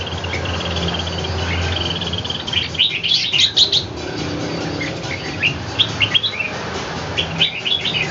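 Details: Red-whiskered bulbul kept at home, fighting a wild bird in Ho Chi Minh City: a low hum at first, then clusters of rapid high chirps and short whistled notes repeating through the second half.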